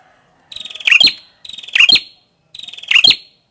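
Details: Red-headed prinia: three rapid phrases, each a stuttering buzzy rattle that builds into a loud, scratchy, squeaky burst, about one per second.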